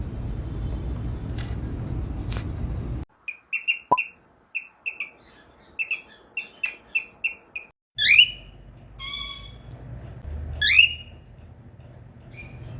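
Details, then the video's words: Young cockatiel being tamed indoors, its sounds changing from hissing toward happy calls; a run of short, evenly spaced chirps followed by a few louder rising squawk-like whistles, with a person speaking Malayalam. "New cute cockatiel hissing sounds to happy sounds"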